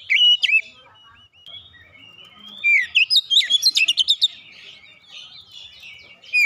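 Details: Lure recording of an oriental magpie-robin singing: a whistled opening phrase, a quiet gap, then a rapid run of sharp chipping notes and sweeping whistles, ending with another loud whistle.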